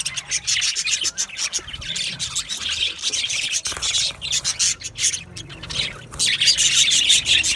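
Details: Many budgerigars in an aviary chatter and squawk in fast, buzzy bursts, roughly three per second, with a brief pause midway before the noisy chorus resumes.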